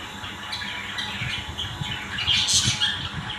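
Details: Family of budgies, a steady mix of scratchy warbles and chirps that swells into a louder squawk in the final second.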